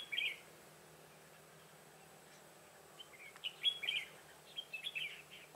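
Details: Red-whiskered bulbul used as a trap decoy, singing in a fight to lure wild bulbuls, recorded 25 September 2018; a short bright warbled phrase opens, then after a pause a run of chirpy whistled notes, over a faint low hum.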